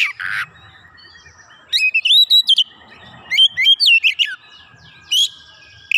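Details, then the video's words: Oriental magpie-robin singing back straight away and showing off its fill-in phrases. A rasping note, a pause, then a lively run of rapid looping whistles and trills rising and falling, ending in scattered sharp chirps. "Kacer langsung nyaut ngotot bongkar isian"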